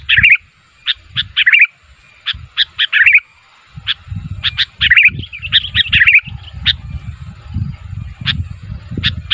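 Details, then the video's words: Sooty-headed bulbul giving calls that invite other bulbuls to respond. Scattered short chirps and bubbly phrases are separated by quiet gaps, while low background rumble comes and goes. "SUARA BURUNG KUTILANG MEMANGGIL, KUTILANG LAIN MANA TAHAN GAK NYAUT"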